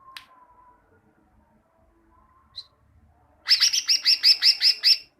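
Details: Greater green leafbird (cucak ijo) song for teaching caged birds: after a faint low whistle and a single high pip, a loud, steady run of about ten buzzy high notes lasting under two seconds.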